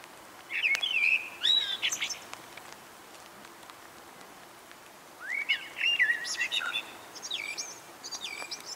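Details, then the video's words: Eurasian blackbird singing two phrases, each opening with mellow, fluted warbling that turns into higher, squeaky twittering, separated by a pause of about three seconds, over faint background hiss. "śpiew kosa"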